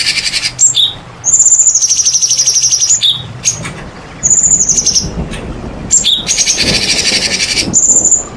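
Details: Shama lure recording of a white-rumped shama singing to rouse others: long, loud, buzzy high-pitched trills broken by brief pauses and sharp accents, repeated several times.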